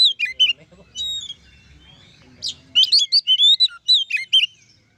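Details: Oriental magpie-robin singing loudly to goad other magpie-robins into song, delivering quick whistled notes, descending slurs and rapid chirps in short bursts, with a faint low rumble in the background early on.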